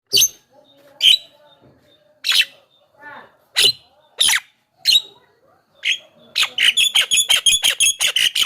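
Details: Javan myna song used as a lure for wild birds: scattered harsh broadband notes and whistles, then a fast rattling series of sharp repeated notes about six per second in the closing seconds.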